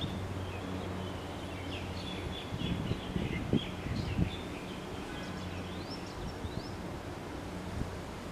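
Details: A flock of common waxbills foraging in grass in Hawaii, giving soft, high, buzzy chips and short rising notes, scattered and overlapping, over a steady low hum of background noise.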